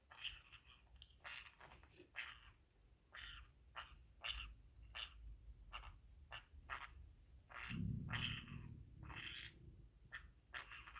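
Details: Female pet green-cheeked conure chewing up a pocket indoors, possibly seeking to mate: quick, clipped raspy squawks repeated about three or four per second, with a short rustling burst midway.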